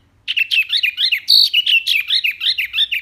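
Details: Full, lively mini wambi song, loud and clean, as used to tutor other cage birds: an unbroken three-second stream of quick twittering, warbling notes rising and falling.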